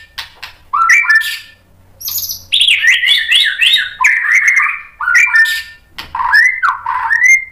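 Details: White-rumped shama song meant to get other shamas to answer: loud whistled phrases with sliding notes and clicks, delivered in bursts separated by short pauses.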